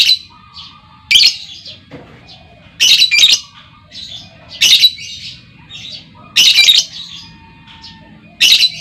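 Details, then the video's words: Female lovebird's lure calls, meant to make other lovebirds trill at length; piercing, rasping squawks in paired bursts every one to two seconds, with light chatter between. "SUARA PANCING LOVEBIRD BETINA, LOVEBIRD LAIN LANGSUNG NGEKEK PANJANG Dengan Suara Lovebird Memanggil"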